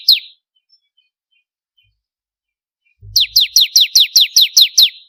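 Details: A vigorously singing bar-winged prinia of the crystal type, recorded as master song for contest birds, gives one lone high descending chip, then after silence a quick even run of nine sharp falling notes.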